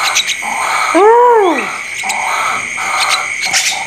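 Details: Bird calling again after a silent spell: a single hoarse, arching note that rises and then falls. It sits over a constant hum and steady background tones.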